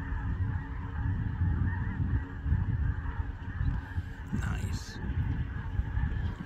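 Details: Geese honking beneath a heavy, steady low rumble; one louder, harsh honk rises out of the background about two-thirds through, with fainter calls around it.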